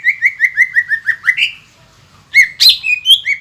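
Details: Caged green leafbird in full voice, played to provoke other green leafbirds into singing: a run of about ten evenly spaced whistled slurred notes, a brief pause, then louder sharp chirps and whistles.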